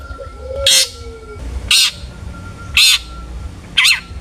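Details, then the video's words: Long-tailed shrike call used to provoke other shrikes to sing, four loud grating notes about a second apart, the last with a quivering downward bend, after a short falling whistle. "burung cendet gacor FULL ISIAN buat PANCINGAN CENDET AGAR BUNYI!!"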